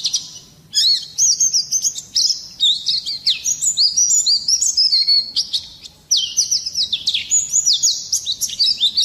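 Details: Singing Oriental white-eye, loud and persistent, a recording meant to stir other birds to sing; dense, high-pitched twittering with rapid descending whistled slurs, a short break near the start and another later.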